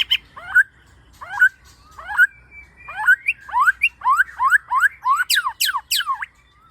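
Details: White-rumped shama lure song, described as dense bursts with varied fill-ins: clear upslurred whistles repeated about twice a second, speeding up before high sweeping downward whistles close the phrase.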